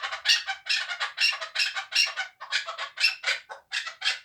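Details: Two-year-old hand-reared hunting chukar partridge in Tojikobod district, Tajikistan, calling with loud, grating, clucking notes in an uneven run, about three per second.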